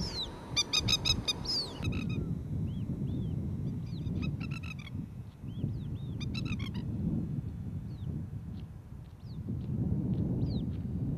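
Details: Urgent warning from a female Masked Lapwing (Spur-winged Plover) near her ground nest while a dog is nearby, as her newly hatched chick leaves the nest. Three rapid rattling bursts, with many short, high, thin downslurred notes scattered between them.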